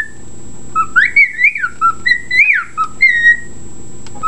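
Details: Pet bird whistling a tune said to be reveille, clear whistled notes rising and falling in a bugle-like phrase, several slurred notes in quick succession, over a steady low indoor hum.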